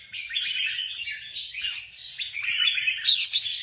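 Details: Red-whiskered bulbuls kept as competition birds and being readied for a contest sing continuous bright, chattering warbles with quick rising and falling notes and sharp high accents, phrases running together almost without pause.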